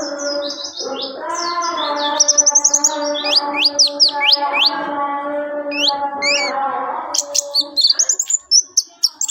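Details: Orange-headed thrush delivering a long, varied run of high whistled slurs and rapid stuttering notes, with a steady low hum running throughout and a final quick-fire volley.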